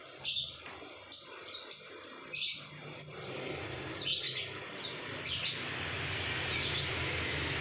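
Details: Lovebird tutor recording meant to bring on ngekek chatter: a string of piercing high chirps and short squeaks in the first half, then thinner, rougher chatter over a rising hiss of background noise.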